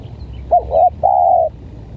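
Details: Spotted dove, from a contest of a stuttering decoy against a strange-voiced bird: one phrase of a short quavering two-note coo followed by a drawn-out level hoot, against faint low noise.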